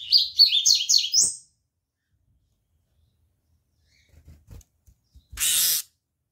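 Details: Rusty-collared seedeater finishing a fast high warbled phrase of sliding notes that ends on an upward whistle, followed by silence, a few faint taps and a short burst of hissing noise.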